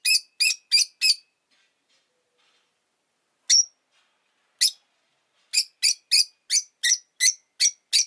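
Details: Rosy-faced lovebird as a pet, giving bursts of sharp, buzzy high chirps: a quick run of four, two single calls, then a rapid series of eight, about three per second.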